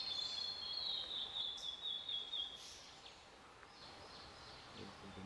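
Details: A Blue-and-white Flycatcher sings from a treetop on Mount Futatabi on 4 June 2018, before the rainy season: a high, thin, warbled phrase lasting over two seconds, then softer high notes, against a steady outdoor hiss.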